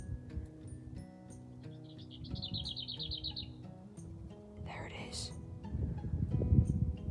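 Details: In spring, a Lesser Whitethroat in bushes on a path to a reservoir gives a dry, fast rattle of about ten notes on one high pitch, over low rumbling background noise, with a brief burst from another bird.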